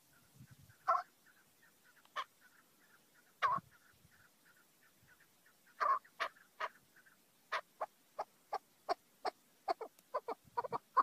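Chukar giving loud, harsh clucking notes, spaced at first, then quickening into a rapid chuk-chuk series; faint short repeated notes run underneath.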